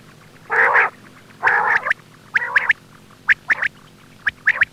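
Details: Quail voice used to lure birds for hunting: two loud, harsh nasal bursts, then shorter buzzy notes and paired sharp high chips, spaced about a second apart.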